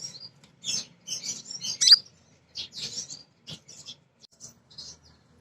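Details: A female crimson sunbird calls to males, a call used to start birds singing. It gives a burst of scratchy high twittering that peaks in a sharp chirp, followed by quieter scattered chips.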